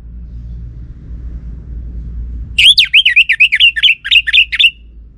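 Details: Orange-headed thrush song as a lure to prompt a male reply: a sudden run of about a dozen rapid, sharp, twisting whistled notes following low background noise.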